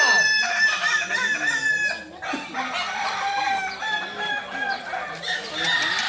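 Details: Practice contest final for kukuak balenggek chickens at Sawah Lunto, 16 July 2023; a loud crow opens, then many roosters keep crowing in layered, warbling, terraced phrases, with a brief lull near the second second.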